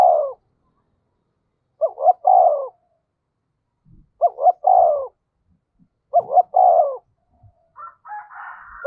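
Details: Spotted dove kept as a decoy to draw wild doves, 'thổ sấm' voice: low three-part coos repeated every two seconds or so, soft knocks between, and a higher bird chatter at the end.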